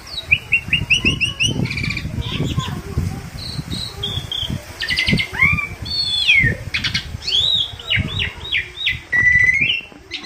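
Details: Tame, talkative Asian pied starling used as a training or luring recording: a varied stream of whistled notes, rising and falling slurs and short buzzy bursts, with steady low rumbling background noise.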